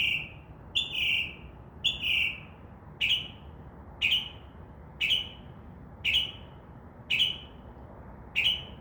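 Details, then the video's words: Night-singing Northern mockingbird in a tree beside a window, a series of short rough notes with downward tails, repeated about once a second, mimicking other sounds. "mocking bird makes crow sound, dove wing sounds and others"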